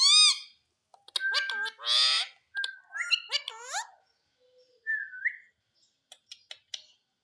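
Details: Talking Indian green ringneck parrot gives a loud opening squawk, then a string of chattering, word-like syllables and harsh notes, a short rising whistle-like phrase, and a few faint clicks.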